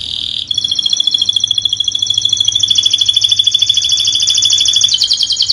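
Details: Canary song meant as a tutor recording for birds that stop singing: a long continuous high buzzy trill with rapid pulses, shifting pitch slightly partway through, over a faint low hum.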